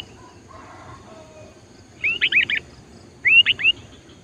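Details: Chattering sooty-headed bulbul used as a lure bird to attract wild bulbuls during trapping practice. Two short bubbly phrases of three or four looping whistled notes a second apart follow faint low murmuring.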